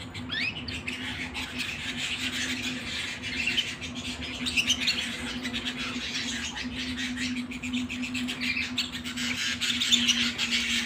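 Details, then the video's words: Domestic canary singing indoors at home: busy high twittering and rolling trills over a steady low electrical hum heard throughout. "canary singing at home"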